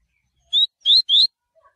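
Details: Tui tui song of a Coleiro (Double-collared Seedeater), a style used for training: three clear, rising whistled notes in quick succession, the last slightly longer, followed by faint soft chirps.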